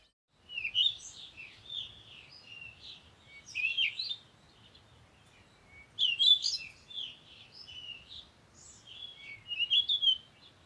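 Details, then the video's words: Bird singing in separate bursts of varied, warbling high chirps and twitters, about one phrase every two to three seconds, with a low steady rumble underneath. "Sound of the Birds"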